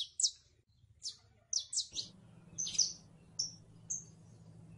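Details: Saffron finch, known locally as canario criollo, singing scattered bright high-pitched chirps and short clipped notes, with a low droning hum that starts partway through.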